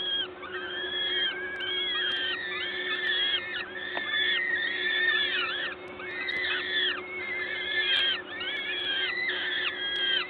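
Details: Peregrine falcons, Gdańsk, Poland, 14 May 2022 at 11:07, a parent feeding at the nest: a steady stream of arched, wheezy whines repeated roughly every second, overlapping voices, mechanical hum in the background.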